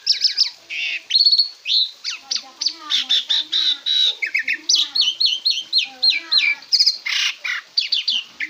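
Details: Asian pied starling in a master recording for cage-bird training, pouring out a fast, continuous stream of harsh chattering, squeaky whistles and clipped notes with no pauses.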